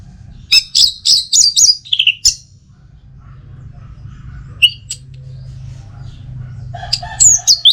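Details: Teler song of a caged orange-headed thrush in North Bali, played to draw out singing: a cluster of high whistles at the start, a long low-humming pause, then a few more sharp notes near the end.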